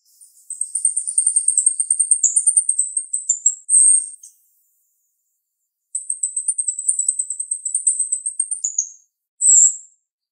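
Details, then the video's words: Female jalak rio-rio starling with a sharp voice: long, very high rapid chattering trills, each ending in a short downward note and a separate bright burst, repeated twice with a pause between. "Jalak RIo Rio Betina suara tajam"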